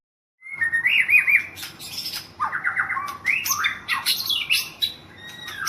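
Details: White-rumped shama, a national champion in Thailand, sings a loud rich sequence: a wavering whistle, then dense descending chatter and sweeping high slurs with scarcely a pause.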